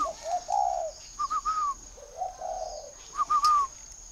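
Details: Spotted dove kept in a bird garden in Ba Vì district, Hanoi, northern Vietnam: mellow two-part coos, a low slurred note then a couple of brief higher notes, about three phrases in a row, with a thin constant background whine.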